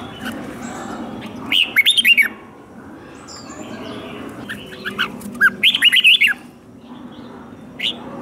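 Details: Captive red-whiskered bulbul giving its fighting song, used to train other caged birds' voices. Two bursts of quick, bright, slurred whistled phrases, with a lone short note near the end, over a steady low background hum.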